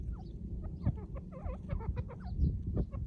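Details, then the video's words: Loud calls from a female white partridge next to a partridge cage, a fast run of looping, clucking notes packed in the middle second, then sparser notes, all over constant low-pitched background hum. "The female white partridge makes a loud noise next to the partridge cage"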